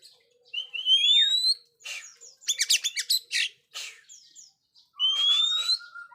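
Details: Oriental magpie-robin singing vigorously, used for training silent young birds: long whistled notes sliding upward, then a dense cluster of harsh rapid chips, ending with another bright rising whistle and a steady tone.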